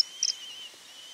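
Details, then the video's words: A Common Kingfisher (Eisvogel, Alcedo atthis) gives a quick pair of thin, very high, sharp whistled notes over a steady high insect-like drone. "Vögel und ihre Stimmen - Eisvogel"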